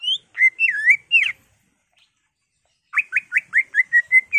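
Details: Agitated caged greater green leafbird singing as a provoking recording: a phrase of looping whistles, a pause, then a fast regular series of about eight short upslurred whistled notes.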